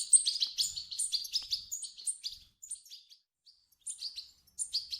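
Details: European goldfinch nestlings begging, meant to trigger singing in an adult goldfinch: rapid high chirps in quick runs at first, then a near-silent gap before scattered squeaky notes return.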